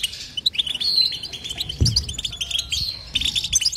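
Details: Goldfinch twittering song with no pauses: quick sparkling chirps and short trills mixed with a few drawn-out whistled notes, plus a single dull thump near the middle.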